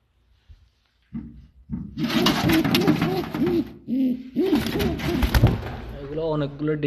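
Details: Fancy pigeons of a famous Saudi Arabian breed, kept as a hobby in Noakhali and said to breed well: low, rolling coos repeated in quick arching phrases, mixed with shuffling and rustling noise from the loft.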